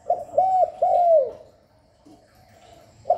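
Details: Spotted dove calling continuously to stimulate doves; a three-note phrase of short, arched and falling soft coos, then near silence before the next phrase begins.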